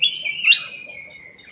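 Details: Short, loud, whistled phrase from a ruby-throated bulbul (cucak emas) used as a lure. It starts as a steady tone, rises to an accented peak, then glides slowly lower and fades.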